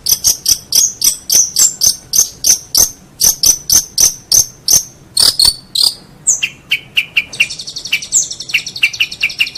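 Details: Long-tailed shrike master song for training contest birds: rapid ticking high notes repeated in quick runs, then lower clipped notes and a dense buzzy trill.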